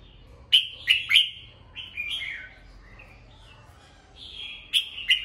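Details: Morning song of a caged red-whiskered bulbul, used to train birds' voices: quick sharp notes then slurred, warbling whistles, a pause, and another bright phrase near the end.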